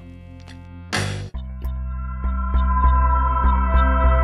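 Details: Electronic music with a deep throbbing hum and steady beats, opened by a sharp noisy burst; no animal voices are heard.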